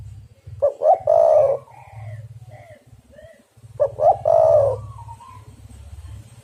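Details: Spotted dove coos played to lure and trap birds: twice, about three seconds apart, two brief hooting notes lead into a sustained wavering coo, while a steady low buzzy hum runs underneath throughout.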